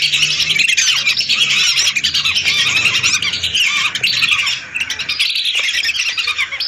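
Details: Lesser whistling ducks, a flock of hundreds, calling for use as a trapping lure. Shrill whistled notes pile up in a thick chorus that dips briefly near the end, then resumes.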